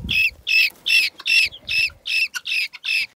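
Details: A newly hatched helmeted guineafowl keet, brought back from the nest by its mother, is heard with harsh, grating squawks in a steady series, about three each second, in the sun.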